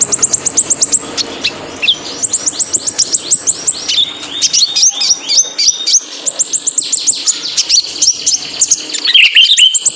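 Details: Male purple-throated sunbird (kolibri ninja) singing for cage-bird training: a long, dense, rapid twitter of very high ticks and sliding whistles, almost continuous, with brief gaps and a bright burst at the end.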